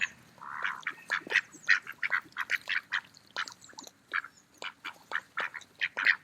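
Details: Mallards eating in a park on an autumn day: one drawn-out nasal quack opens, followed by a busy, irregular chatter of short quacks from the group.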